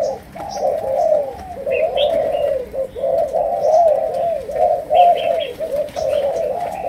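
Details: Spotted doves of the Malaysian type from captive breeding, singing 'chiêu gù' coos in the 'sấm đồng' style: a steady run of soft, rounded low coos with short gaps, and scattered faint high chirps behind.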